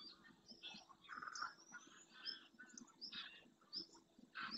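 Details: Greylag geese flock in flight over the Doñana marsh, Spain, returning to the lagoon at dawn; uneven series of nasal honks from several birds, interspersed with high thin whistles from small birds.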